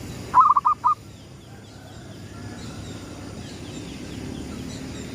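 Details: At sunrise a local gedong mengo zebra dove gives a single lure phrase: a quick run of five mellow, gurgling coo notes, the last slightly separated, followed by quiet low background noise.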